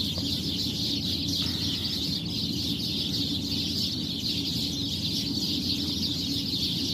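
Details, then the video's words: Early morning before full daylight, a tree crowded with perched birds, all calling together: a continuous, thick wash of high chirps and twitters, unbroken throughout, above a steady low rumble. "napakadami mong nadidinig na huni ng mga ibon"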